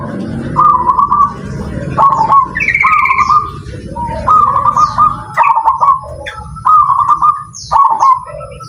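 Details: Zebra dove, called perkutut, being judged in a song contest: a series of mellow, trilled cooing phrases, each a rolling burst of notes repeated every second or so, with faint chirps from other birds around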